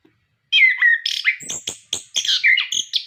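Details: Orange-headed thrush song for prompting kept birds to sing: clear descending whistles followed by a sequence of sharp clicks and buzzy, high chattering notes.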